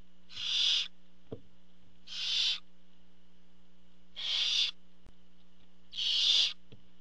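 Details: Four slower, breathy hissing screeches from barn owls at their nest as the father brings food, spaced about two seconds apart, with a couple of faint clicks and a low hum.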